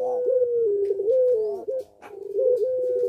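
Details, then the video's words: In breeding condition, a puter pelung Barbary dove coos in wavering, undulating phrases with quick stepped notes, a short gap, then resumes a steady hum-like coo. "Puter Pelung Gacor Birahi"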